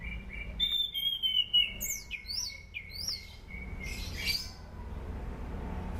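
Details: Sunda pied fantail singing as a lure for training birds: a long whistled phrase with quick rising flicks breaking in, a steady ongoing whistle, and a late burst of sharp chirps. A low hum is also audible.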